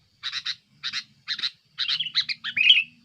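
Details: Sooty-headed bulbul aggressive song, used as a lure, pressuring rivals: evenly spaced pairs of harsh chirps, then a quicker run ending in a clear whistled flourish, over a faint hum.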